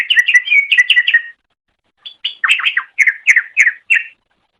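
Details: Cucak ijo, or green leafbird, on a training master track: a rapid chattering phrase, a silent gap of under a second, then distinct emphatic chirps repeated about three per second.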